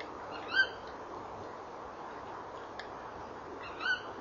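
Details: Tawny owls at a nest box at 18:17 on 19 November 2013, male calling and trilling with the female answering: two short, harsh, squawking calls about three seconds apart over a steady hiss.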